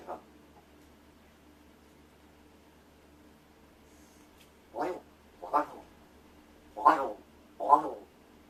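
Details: While its owner pretends to sleep, a rescued Large-billed crow practises vocalising indoors. After a long quiet stretch, four rasping, throaty calls follow about a second apart, with a faint sound at the start.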